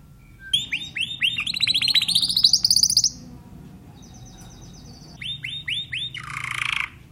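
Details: A Timbrado canary gives rising repeated swooping notes into a fast climbing trill, a soft quiet stretch, then more swoops and a harsh buzzy burst at the end.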